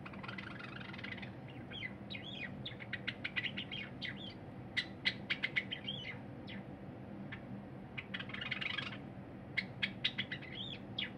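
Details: Song of a caged cinnamon Java sparrow, recorded 23 January 2021 while a silver Java sparrow eats: a long string of sharp clicks and bright ringing notes, loudest in the middle, then a further click series.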